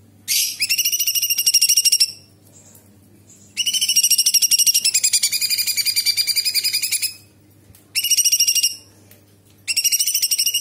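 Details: Bulbul known locally as cucak cungkok in full song, mimicking small and large birds and insects with sharp shrill phrases: long runs of rapid, high, buzzy repeated notes lasting up to three seconds, broken by short pauses.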